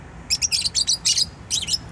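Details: Pet bird kept at home chirping: rapid bursts of short, very high, thin chirps, about eight notes in quick clusters over a second and a half, with a quiet background between bursts.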